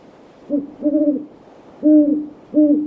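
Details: Evening in a backyard with several great horned owls; a deep, level hooting pattern of a brief hoot followed by a longer one, then two more even hoots, loud and clean over faint hiss.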